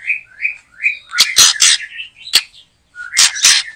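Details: White-rumped shama during backyard trapping behind a house: repeated short whistled phrases near the start, then loud rasping bursts in groups, closing with a low whistle and more harsh notes.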